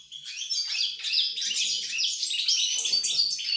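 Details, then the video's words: Recorded 28 November 2020, a goldfinch pours out a bright, hurried twitter of high chirps, trills and slurred notes after a quiet opening moment, continuing steadily to the end. "GOLDFINCH SONG"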